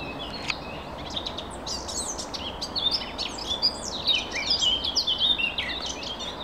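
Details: Birds arguing politely: a busy run of high chirps, tweets and quick slurred notes that grow denser and louder toward the end, set against a constant low rumble of background noise.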